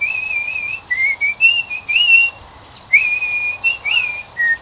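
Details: Pet cockatiel, a new member of a live band, whistling "Song of the Garden": clear, wavering tonal notes at a steady high pitch, with short pauses between phrases.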